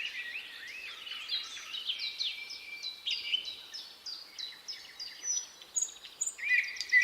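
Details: Thrush nightingale on 8 May 2022 with a siren: a steady run of repeated downward-slurred whistled notes, about two per second, then higher piping phrases, against a hiss of background noise.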